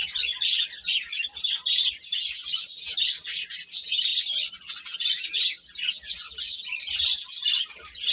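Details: A crowd of chicks peeping together, bright high chirps stacked and overlapping into a steady twittering wash that briefly eases in loudness near the middle.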